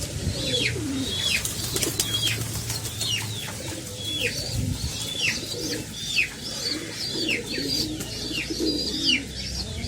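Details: Pigeon parents feeding their chicks, with the young giving a steady run of thin, downward-sliding squeaks about twice a second, over a low hum and faint soft coos.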